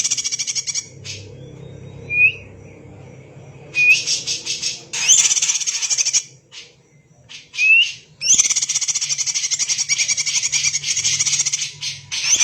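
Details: Dense, energetic greater green leafbird song, likened to a magpie robin: single clear upslurred whistles alternating with long runs of harsh rapid chattering trills, with brief silences between phrases.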